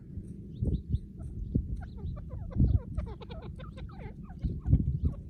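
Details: Female white partridge calling loudly beside a partridge cage: a rapid burst of short, sharp chirps and chattering notes, some sweeping up or down, crowded into the middle seconds over a steady low rumbling background.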